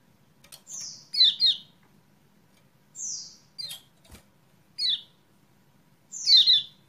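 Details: Kecial kuning call used to coax a silent bird into singing: high whistled notes and doubled falling chirps, loose and irregular, with a sharp tap near the middle.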